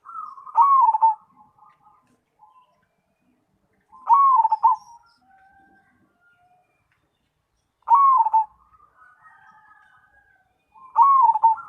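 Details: Zebra dove (perkutut), a cemani variety, in full 'gacor' singing. Each phrase opens with a loud burst of rapid, rolling mid-pitched coos and fades into softer trailing notes. Four phrases come about every four seconds over a quiet background.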